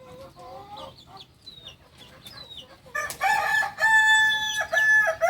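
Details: Soft rising and falling calls open, then a Kukuak balenggek rooster from Solok, West Sumatra, breaks into a loud stepped crow of over two seconds, made of rapid repeated syllables at shifting pitch levels.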